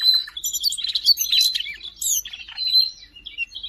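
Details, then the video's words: Siberian rubythroat recorded in Jakarta on 5 March 2025, singing a rapid, varied warble of high chirps, trills and scratchy notes with a loud clear whistle mixed in. "kicau burung siberian rubythroat gacor"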